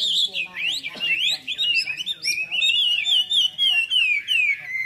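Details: Red-whiskered bulbul at a club singing contest in Long Bien, 27 April 2014: sharp rising whistled sweeps, then long wavering warbled phrases that trail downward, with other birds chirping in the background.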